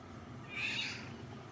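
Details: A shy Eurasian Golden Oriole in Beira, Portugal, in June, a parent calling near its young, gives one short, harsh, cat-like squawk, high-pitched and lasting under half a second, over a low background rumble.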